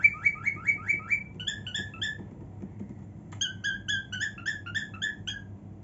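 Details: A pet female cockatiel sings cheerfully in her room indoors: bursts of short whistled, chirpy notes repeated quickly, a run of rising warbles, a pause, then another fast series of bright chirps, over a low steady room hum.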